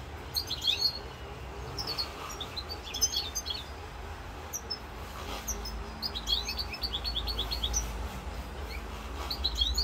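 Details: Corsican European goldfinch song recorded 7 November 2022: lively, liquid twittering in rapid high-pitched bursts, repeated phrases with short pauses throughout, steady low background hum underneath.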